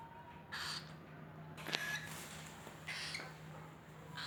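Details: A tame female sun conure playing with cockatiels gives harsh, broadband squawks in short repeated bursts over a steady low hum.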